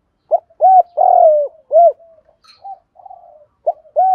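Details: Decoy spotted dove calling in the morning to lure birds: a clear phrase of low coos with a long burry centre note, followed by softer murmured coos and the start of another phrase.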